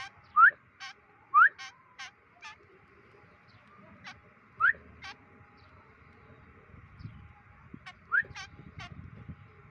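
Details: White-breasted woodswallow during day 25 of free-flight training: four bursts, each led by a loud rising slurred note and followed by rasping nasal notes, spaced about one to three seconds apart over a steady hum.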